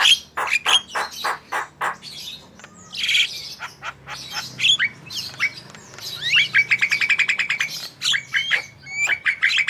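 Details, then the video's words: Javan myna in full song as a prompting recording: quick harsh chacks, scratchy rasps, then a fast even rattle of bright clipped notes and a few sharp whistles. "Jalak kebo gacor full masteran//cocok untuk pancingan burung anda"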